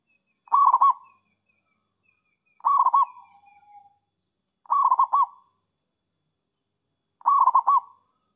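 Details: Zebra dove singing to lure rival birds: four rapid rolling coo phrases, each under a second long, repeated roughly every two seconds with quiet gaps between.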